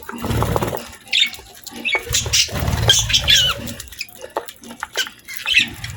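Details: Pet budgies feeding on healthy food indoors; scattered high squeaky chirps and warbled notes over thumping and rustling noises of eating and movement.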